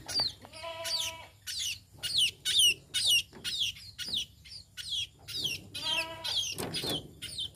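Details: Tame sparrow giving loud, high, downslurred chirps in quick succession, with a couple of lower, harsher buzzy notes among them.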